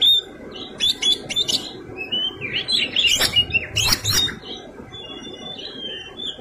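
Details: Oriental magpie-robin in full fighting song with varied fill: harsh chattering bursts alternate with whistled slurs and thin high notes, active for most of the stretch, low hum underneath.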